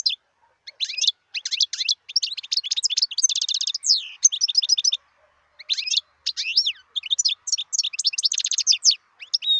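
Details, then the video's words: European goldfinch, a wild bird recorded in 2018, delivers fast tinkling song phrases. Bright chirps mix with dense buzzy trills, and a brief gap falls near the middle of the recording. "صوت الحسون البري"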